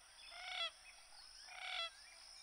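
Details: Common gallinule (Gallinula galeata) giving two nasal, harmonic calls about a second apart, each swelling louder before cutting off, over a steady high hiss.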